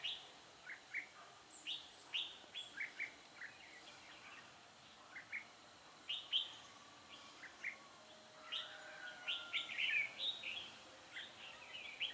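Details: Decoy red-whiskered bulbul used to lure wild birds into a trap, recorded 10 December 2016; a long run of short chirped and whistled notes, several each second, with a denser warbling burst near the end.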